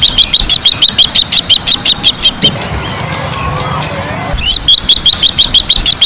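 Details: Bronze-winged jacana producing fast runs of high, sharp, clipped notes about three per second. Two bursts are separated by a quieter gap of low rumble.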